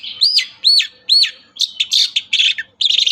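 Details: Long-tailed shrike in lively song from Indonesia, used to coax quiet shrikes into answering: three clean, rising and falling whistled arcs, then a dense burst of scratchy, rattling phrases.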